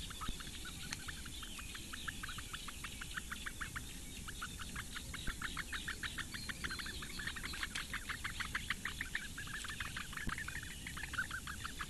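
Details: Eurasian bittern chicks, four in a reedbed nest at Lake Engure, Latvia, are fed by the female one May morning. Sharp clicking notes repeat quickly and steadily, about three per second, over constant wind-like noise.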